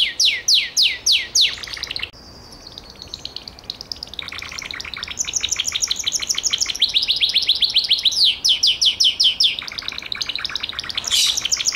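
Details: Gloster canary gives five loud falling sweeps, a short steady tone, then long fast trills and rolling runs of high repeated notes.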